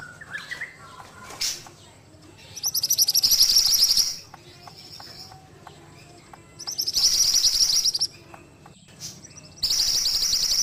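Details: Ashy tailorbird from a cage-bird training recording, delivering three bursts of shrill, rapid trilling, each over a second long, separated by quieter stretches holding faint lower chips and ticks.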